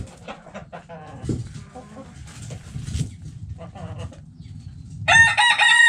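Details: Backyard chickens relaxing in their coop: short, nasal, harmonic clucks come in uneven bursts over a steady low rumble, then a louder, drawn-out, strained call breaks in near the end.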